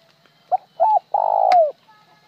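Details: Cooing spotted dove giving a plain phrase: a short clipped note, a second arched note, then a long rough coo dropping in pitch at its close, with a faint click near the end.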